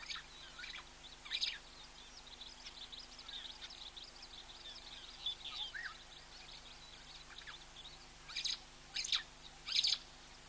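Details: Helmeted guineafowl calling close-up in Africa, giving harsh, rasping bursts with thin chirps scattered through.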